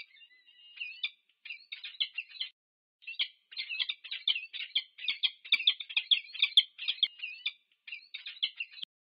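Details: Wild peregrine falcon pair meeting at the UC Berkeley nest, USA, nest camera, 2 November 2022. Loud, fast chattering of rasping chip notes rises into a dense, continuous excited series, broken by brief gaps.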